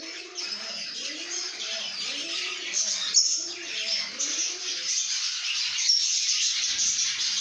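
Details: Chirping lovebirds in a happy mood: a steady, dense layer of high, fizzy chatter over repeated lower, arching warbled notes that fade out after about four seconds.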